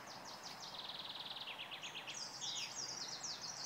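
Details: A greenish warbler sings at Praha-Hodkovičky, Prague, on 10 June 2016: a fast, high jumble of sharp notes, quick descending chips running into a bright, slurred, rattling flourish.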